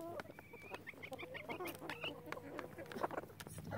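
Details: Chickens in a relaxed flock, no rooster crows; a long rising tonal note followed by a string of short clucks and soft murmuring calls, with tapping clicks and a low steady hum underneath.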